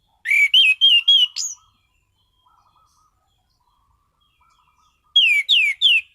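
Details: Orange-headed thrush, caged, singing two phrases: five quick clear whistles ending in a rising squeak, silence, then three loud falling whistles.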